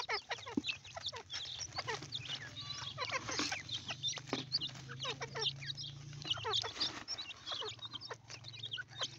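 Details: Partridge chicks giving a dense chorus of short, high, thin peeps and chirps, many overlapping and repeated rapidly throughout, with a low steady hum underneath.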